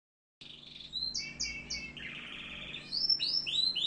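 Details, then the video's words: Canary in Algeria singing a varied, loud phrase of repeated high trills and chirps, with rapid notes in short rolling bursts and bright rising-falling whistles toward the end, over a steady low hum. "كناري صوة جميل"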